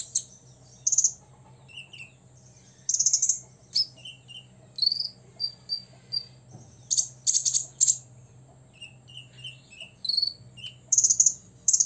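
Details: Six-year-old olive-backed sunbird singing to provoke rivals: scattered high, thin whistled notes mixed with short dry buzzy rattles, phrases separated by brief pauses, over a low steady hum.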